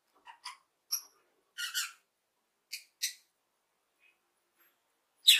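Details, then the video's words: Happy lovebird chirps come as scattered short, thin tweets and a few raspy double notes, separated by brief silences, ending in a sudden sharp chirp. "Lovebird Sounds - Lovebird happy chirping"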